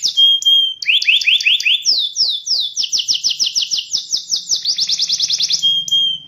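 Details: Canary singing a distinctly rhythmic song: whistled opening note, then runs of evenly spaced, falling slurred notes that speed up into a fast trill and end on a long pure whistle.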